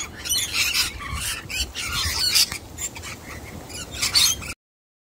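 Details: A young wild sulphur-crested cockatoo, not fooled by a person hiding a nut, makes scratchy rasping squawks in uneven bursts, a louder harsh screech near the end, then sudden silence.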